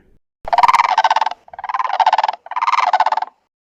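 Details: A Blue Crane (Grus paradisea) from southern Africa gives three rolling, rattling trumpet calls, each about a second long and croaky in tone, with short pauses between them.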